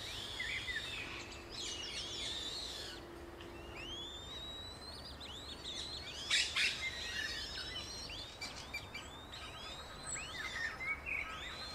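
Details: Eurasian coot accompanied by five chicks in Beverwijk, the Netherlands. Dense, overlapping, high-pitched squeaky peeps and arching whistles come in rapid clusters. A faint low steady hum is also present.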